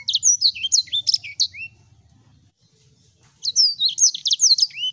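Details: Sanger singing for a training recording: a burst of fast, high chirps and slurred whistles, a silent pause of about two seconds, then another quick twittering burst.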